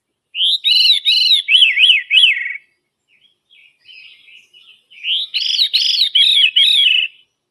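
Veery giving two fluty, ringing phrases that spiral downward in rapid repeated notes, separated by a brief pause with faint softer notes.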